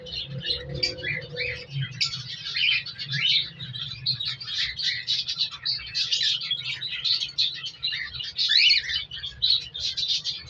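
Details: Baby cockatiel chicks in a single breeding cage in winter give dense, raspy, high chirping calls that run continuously and overlap one another.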